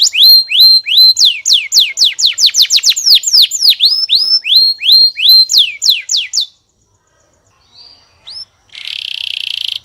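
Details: Canary song with rapid repeated downward-sweeping whistled notes for about six seconds, a short pause, a faint note, then a harsh buzzy trill at the end.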